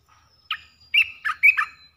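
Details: Olive-winged bulbul lure song of three phrases, played to attract wild birds: a short chirp, then a pause and a run of clear, slurred whistled notes rising and falling. The notes are bright and loud over a quiet background.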